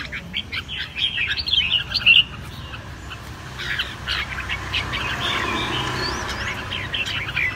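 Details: Caged red-whiskered bulbul (chào mào) kept for song training in Vietnam: a run of bright, warbled whistled notes near the start, then quieter scattered chirps over a steady low hum.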